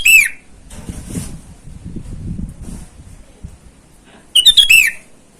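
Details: Sooty-headed bulbul in the wild calling rivals, used as a lure for wild birds: the falling end of one phrase, a stretch of low rustling, then a full phrase of quick whistles ending in a downward slur.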